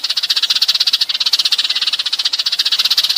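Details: Sparrow flock call used by bird catchers to lure birds: a dense, rapid chatter of high, sharp chirps, about twelve per second, running steadily through the clip with no other sounds.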